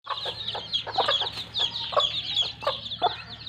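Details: Broody mother hen with her chicks playing in mud: dense high chick peeping throughout, broken by several short low clucks and a steady low hum underneath.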